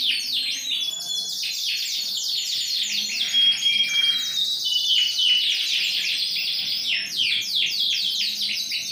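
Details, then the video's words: Ring-20 Yorkshire canary, a large bird singing energetically on 28 January 2021, delivering dense rapid trills of repeated slurred syllables broken by short clear whistled tones. "yorkshire tkf ring 20 super || gacor big size"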